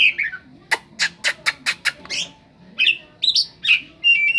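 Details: Oriental magpie-robin with a cetdet-imitating fill-in: a rapid series of about six dry, clicking ticks, preceded by descending whistles and followed by sharp chirps and a level whistled note.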